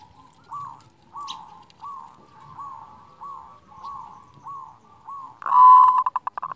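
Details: Local zebra dove song with a big voice, used to trigger quiet doves: a run of soft, evenly spaced short coos about every 0.7 seconds, ending in a sudden loud, rolling trilled coo.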